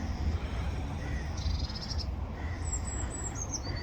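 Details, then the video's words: Blue tit singing: a short buzzy high trill, then thin high notes stepping down into a lower quick trill, over steady low rumbling background noise and a few faint lower chirps. "Blue Tit Call - blue tit singing - blue tit bird"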